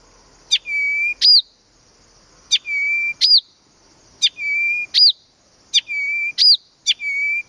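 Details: Blyth's reed warbler (Acrocephalus dumetorum) singing at Planta, Podlaskie, Poland: one phrase repeated about every 1.7 seconds, a sharp tick, a level mid-pitched whistle, then a high, quickly rising-and-falling note, over a quiet background.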